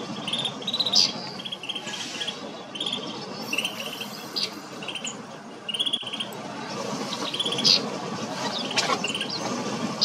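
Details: Snow buntings at Kananaskis, Alberta, Canada, giving brief chirps and short buzzy notes at uneven intervals, sometimes in quick pairs, against constant broad rushing noise with a few faint clicks.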